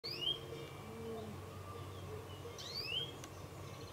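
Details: Male European greenfinch (Chloris chloris) calling: two bright, clear calls about two and a half seconds apart, each a quick whistled note that rises then slurs down, over a steady hum of background noise.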